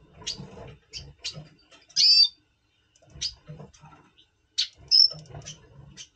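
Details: Pre-breeding song of a double pastel red siskin, November 2023: spaced high chips, two loud buzzy wheezes about three seconds apart, and a short clear whistle, with faint low rumble.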